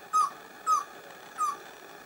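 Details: Pale-billed antpitta from San Lorenzo, northern Peru, in humid montane bamboo forest. Three brief, low, hollow notes, each dipping at the end, come roughly every 0.6 seconds over quiet background hiss.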